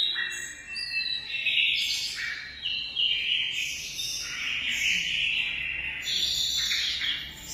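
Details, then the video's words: Munia singing high, squeaky twitters with brief rising and falling whistles, delivered in uneven bursts every second or two. "suara burung emprit"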